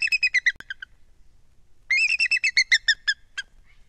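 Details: Bald eagle at its nest, more than 100 feet up in a loblolly pine near the shore of Kincaid Lake, Kisatchie National Forest, central Louisiana, dated 12-19: two bursts of high, thin piping notes, about seven then eleven, tapering into sparse notes.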